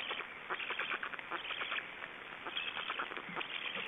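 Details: In Estonia, black storks that have just swallowed a big fish give rough, wheezy bursts, repeated unevenly and overlapping into a steady grating chatter.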